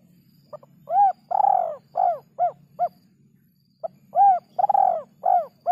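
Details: Spotted dove in kuk 3 song style: two complete phrases, each with short lead-in notes, a mellow coo, a long stuttered coo and several clipped coos; a faint low hum runs underneath.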